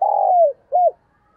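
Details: Spotted dove giving a single coo phrase: a long, steady, slightly falling note that dips at its end, followed after a short pause by a brief arched coo. Quiet background.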